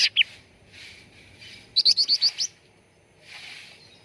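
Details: Sooty-headed bulbul lure for prompting song: a quick, stuttering run of about six bright, high chirps in the middle, bracketed by two opening notes and faint rushing noise.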